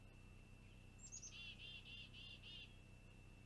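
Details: Long-eared owlet on a live nest camera, 26 June 2020, waiting for a parent to bring a meal: one high, sharply falling squeak, then five rasping, buzzy notes in a quick even series, over a steady thin whine.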